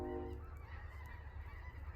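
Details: Distant geese in a flock flying south as the weather turns cold, heard from a cold campsite: a brief burst of low honking at the start, then fading, over steady low wind or fire rumble.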